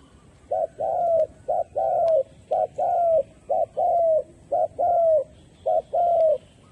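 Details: Spotted dove used as a trapping decoy, calling wild doves. The cooing phrases repeat about once a second, each a clipped short note leading into a longer, slightly descending coo, steady and low-pitched over a faint background hum.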